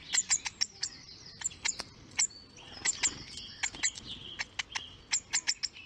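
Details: Baby hawfinch begging to be fed while doing a feeding dance: rapid, very high thin chirps and sharp ticks repeated irregularly, with faint rustling in the background.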